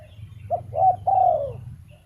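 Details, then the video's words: A single spotted dove phrase: a brief clipped note, then a rounded coo and a longer drawn-out coo that slides downward at the end, over steady low-frequency noise. "GELAGAT BURUNG TERKUKUR | SUARA YANG PADU"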